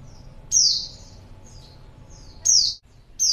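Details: Female white-eye calling as a lure for males, said to draw a reply at once: three loud, very high, thin notes that slur steeply downward, with fainter similar notes between them.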